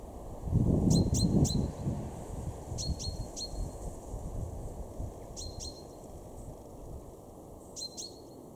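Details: Male chaffinch in a garden in Weener, East Frisia, Germany, March 2023, repeating paired high metallic 'pink' calls about every two seconds over loud low rumbling background noise near the start.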